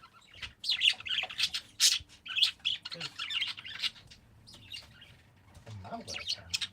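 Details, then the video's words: Parakeets chirping in quick bursts of sharp, high twittering notes, clustered through the first half and again near the end, with quieter gaps between flurries and a faint low murmur beneath. "Peaceful #parakeets"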